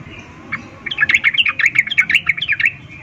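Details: Female sooty-headed bulbul summoning males with an excited breeding-season 'ngecuplik' call: a continuous, slightly harsh chatter of roughly fifteen quick notes wavering up and down over two seconds.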